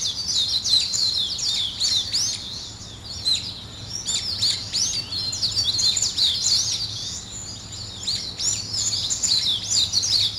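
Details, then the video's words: A lively morning chorus of many small birds, high-pitched twittering and chirping in dense, overlapping bursts with no pauses. "아침을 깨우는 새소리 2 ,Birds wake up in the morning 2"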